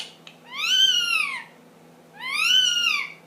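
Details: Pet ring-necked parakeet, ten months old, indoors making funny noises: two drawn-out, arched, harmonic-rich calls, each under a second, rising then falling, separated by a short silence and a faint click.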